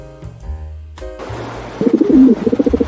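A pigeon gives soft, low, throaty coos in a quick pulsing run near the end, after a stretch of steady musical tones.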